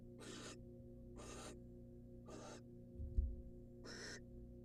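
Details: Wild female barn owl in a nest box, fed a rat by the male: four breathy, rasping hiss-screeches roughly a second apart, a brief thud between them, and a steady low hum.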